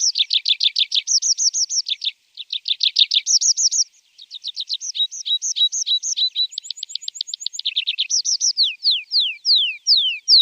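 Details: Javan bush lark song for teaching young caged birds: long varied medley of rapid high chirp runs, brief pauses, a fine ticking trill, and descending slurred whistles near the end. Background is clean.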